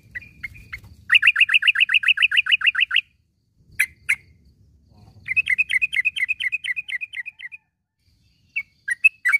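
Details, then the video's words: Yellow-vented bulbul calling in the morning, used to train caged birds to sing: bursts of rapid, evenly repeated chattering notes, one long run of about twenty then another, with scattered single sharp notes between. "panggilan suara trucukan di pag hari ini"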